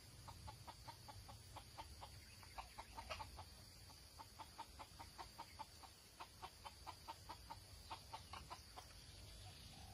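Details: Red junglefowl recorded during a trapping session on 6 March 2020: a quick run of short, clipped clucks, about two to three each second and unevenly spaced, over a steady insect buzz and faint high chirps.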